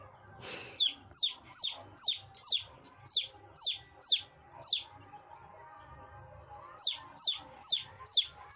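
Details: Young chickens calling with a steady run of shrill, high peeps, each sliding sharply downward, about two per second. The peeps pause for around two seconds, then resume over a low background hum, with a brief rustle at the start.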